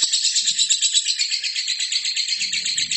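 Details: Lovebird singing for use as a training recording: a continuous, piercing, buzzy trill of rapid beats, steady and unbroken for the whole span, with a soft low hum near the end.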